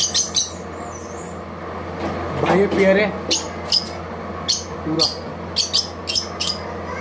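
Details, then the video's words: Lovebird calls: sharp, high, clipped chirps repeated irregularly about twice a second, with a brief human voice in the middle and a constant low hum behind. "Love bird"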